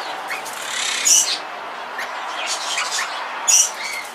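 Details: One of a pair of Yellow rosellas (Platycercus elegans flaveolus, a subspecies of Crimson Rosella) in an aviary gives two sharp, shrill squeaks about two and a half seconds apart, over soft, steady high chattering.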